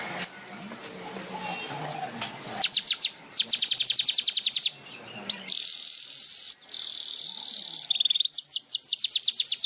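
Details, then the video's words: Weaver singing vigorously with flapping wings: rapid trains of clicking high chips alternate with long, dense, buzzy sizzling phrases, then more fast descending chips, over a quiet hum. "Kicau Burung Manyar Gacor Ngepak sayap"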